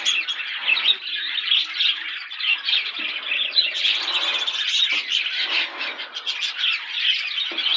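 Budgerigars chatter nonstop, a dense mix of warbling chirps and scratchy squawks from many birds.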